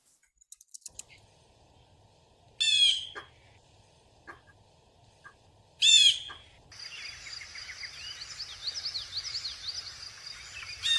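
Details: Blue Jay (Cyanocitta cristata) giving two loud, harsh, raucous calls about three seconds apart, followed by busy twittering chatter from other small birds in the background.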